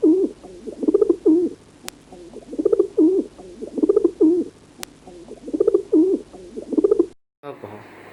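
A pigeon gives soft, low, rolling coos in bursts of about two seconds, repeated steadily, followed by a brief clatter at the end.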